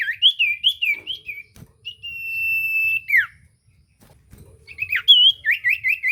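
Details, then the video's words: Common iora song played to prompt a silent bird to answer, with warbled slurred notes, a long steady whistle ending in a downward sweep, then quick rising and falling whistles. "Burung sirtu cipoh gacor pancingan ampuh bikin cipoh macet bunyi langsung nyaut"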